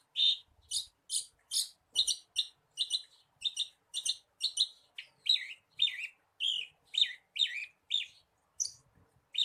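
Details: Javan bushlark song played to coax a kept bushlark into full song: fast, even series of high, sharp chirps, later notes turning into slurred, twisting phrases, with faint low thuds in a few places.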